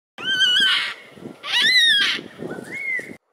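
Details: Yellow-tailed black cockatoos in Botany, March 2012, feeding on pine cones: two loud, drawn-out wailing calls, each gliding up then down, followed by a shorter rising wail, over a low rustling, crunching background.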